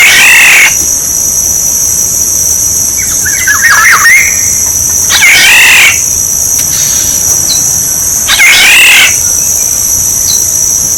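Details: Decoy sound of a Black-naped oriole: three loud nasal, rasping calls spaced a few seconds apart, with a cluster of short fluty whistles after the first, over steady high-pitched hissing.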